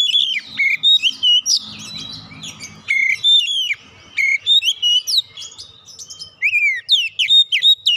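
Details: Oriental magpie-robin in full song, used as a lure to make other birds sing. Dense run of loud whistles, sharp chips and swooping notes, briefly broken near the start by a low rumbling noise.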